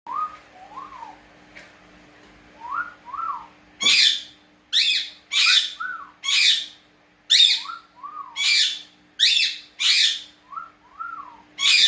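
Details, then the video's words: Pet cockatiel indoors, whistling back and forth with its owner: soft paired rising human whistles are answered by loud, harsh, buzzy rising calls repeated about once a second, over a steady low electrical hum. "Переговоры с попугаями 😀 а вы умеете свистеть?"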